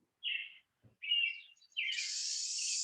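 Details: Pine siskin (Spinus pinus) in winter gives two quick high twittering notes, then a long, harsh, buzzy call that climbs upward in a swelling crescendo; flocks of 20–50 make this sound nonstop and loudly.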